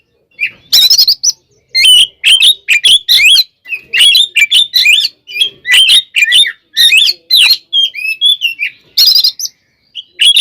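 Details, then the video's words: Oriental magpie-robin in persistent fighting song used to provoke rival birds. Over ten seconds, a steady series of short, sharp whistled and scratchy notes, each phrase clipped and repeated at a quick, uneven pace. "SUARA BURUNG kacer gacor NGEPLONG tarung KONSLET ini paling AMPUH buat PANCINGAN KACER agar EMOSI"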